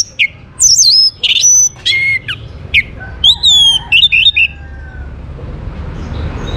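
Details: Orange-headed thrush (anis merah) singing to prompt other birds into song: loud, varied whistled phrases with sharp high notes and descending slurs, separated by brief pauses, over a quiet background.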